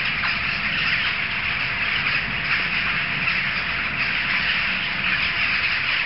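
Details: Jackdaws massed in a big gathering, loud enough to carry several streets; countless overlapping squawking calls merge into one steady, raucous wall of sound, with faint low rumble beneath.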